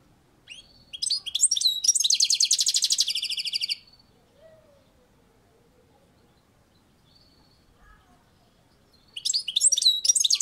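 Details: European goldfinch singing on a balcony: twittering notes build into a long, dense buzzy rattle lasting about two seconds, silence follows, then a fresh burst of tinkling, jangling phrases.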